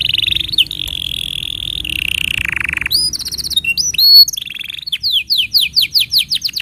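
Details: Canary tutor song for juvenile and silent canaries: long level buzzy rolls slowly dropping in pitch, then quick stuttered high notes and a rhythmic series of falling whistled slurs.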